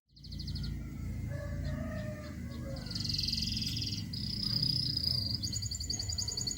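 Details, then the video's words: Local canary from Rembang delivering quick rattling trills and long high buzzy phrases, each section changing pitch and tempo, with continuous low background rumble throughout. "Burung kenari lokal"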